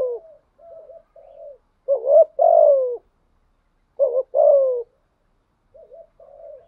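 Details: Spotted dove kept as a decoy, 'giọng thổ' voice, cooing. Gentle murmured notes frame two strong phrases, each a quick rising note and then a sustained downward-sliding coo.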